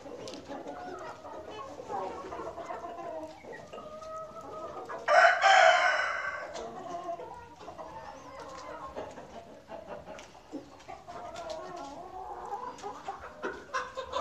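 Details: Chickens on a farm keep up steady low clucking, about three notes a second, broken midway by one loud, harsh crow-like squawk.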